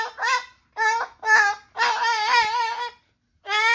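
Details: Pet umbrella cockatoo serenading indoors in a small room: loud, wavering, wail-like notes rich in harmonics, given in four bursts, with a long sustained, slightly quavering cry in the middle and short pauses between.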